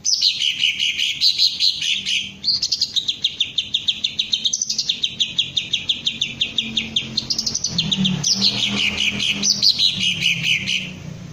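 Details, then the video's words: Long, continuous run of high, rapid chirps from a Green leafbird, in repeated rising-and-falling waves of steady beats. The bird is being trained to raise its crest and sing ngentrok, with faint low hum behind. "Cara melatih Cucak Ijo agar mau njambul dan ngentrok"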